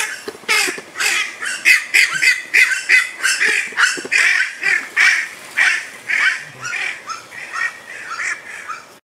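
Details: A Brazilian merganser (Mergus octosetaceus) gives a steady run of harsh, raspy duck-like calls, roughly two per second, fading slightly toward the end.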